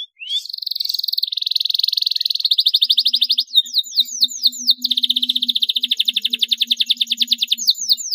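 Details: Singing canary for luring others into song: a rising note opens a long buzzy trill, then quick falling sweeps and more rapid pulsed trills, with a faint low hum in the background.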